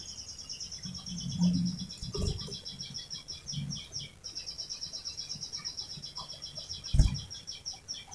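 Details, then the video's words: Canary rolling song used to lure canaries into singing: a continuous rapid high trill runs throughout, soft and even, broken by a few low thumps and clicks. "Masteran Suara Burung Kenari Gacor Panjang cuit cuit Ngerol untuk Pancingan Kenari.!!"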